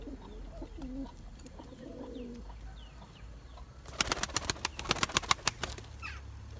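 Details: Turkish tumbler pigeons, a male chasing his mate to breed for eggs and young: low, rolling coos warble through the first two and a half seconds, then a quick burst of sharp claps and clicks follows, like wingbeats.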